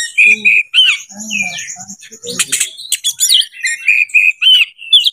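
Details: Oriental magpie-robin singing while seeking a rival to fight: a lively run of clear whistled notes, sliding upward and downward phrases, and harsh buzzy bursts in the middle, with a few soft lower tones underneath.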